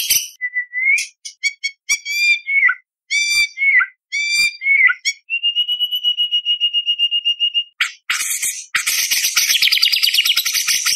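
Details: White-rumped shama delivering competition song filled with mimicked phrases and 'tembakan' shots, a tutor for young spotted birds; repeated rising whistled notes, a long fast even trill, then harsh dense high chatter.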